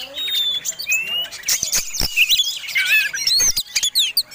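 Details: Aggressive, persistent Oriental magpie-robin of the fighting kind, displaying with tail flared, sings a provoking song: long clear whistled notes mixed with twittering trills and sharp clicks, quick changes between phrases.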